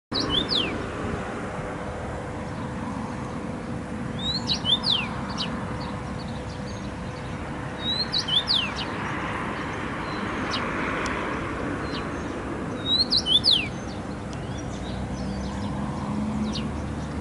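A common rosefinch sings short whistled phrases of quick slurred notes, repeated every few seconds.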